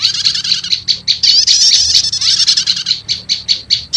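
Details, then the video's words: Shrill prinia lure mixing prenjak lumut and prenjak setater, used to summon wild prenjak lumut: evenly spaced piercing chirps around a buzzing trill in the middle, low hum faintly present. "Suara Pikat Burung PRENJAK LUMUT Kombinasi Prenjak Setater"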